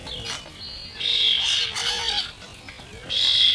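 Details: Juvenile starlings of the year's first brood quarrel over food, slowed to half speed, giving two long harsh, buzzy screeches separated by a quieter gap.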